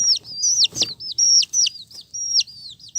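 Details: Loud, piercing peeps from colourful chicks, each note a high whistle dropping sharply at its end, coming in quick succession with a brief clatter near the start.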